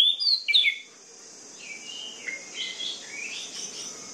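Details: An orange-headed thrush sings in a recording meant to trigger sluggish birds: a loud opening burst of sharp, slurred whistled notes, then softer, distant wavering whistles over a continuous high-pitched hiss.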